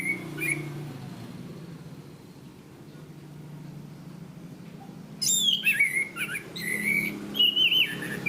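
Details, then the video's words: Caged Orange-banded thrush (Zoothera interpres) in a training recording: a single whistled note, several quiet seconds with hum, then an energetic run of sliding whistles and high chattering notes. "Masteran Anis Kembang | Punglor Gacor Ngeplong Mantap"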